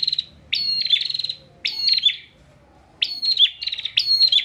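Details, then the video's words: Tutor song of a caged bar-winged prinia from Pemalang, Central Java: rattling buzzy trills with stuttered pulses and rising strokes, delivered in two groups of bursts separated by a silent pause, faint low hum beneath. "PRENJAK GACOR NGOTOT UNTUK MASTERAN"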